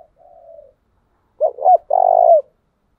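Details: Decoy spotted dove cooing in 'tieng chim' style for training: a faint low murmur, then two short rolling notes and a long, buzzy, pulsed coo that fades downward.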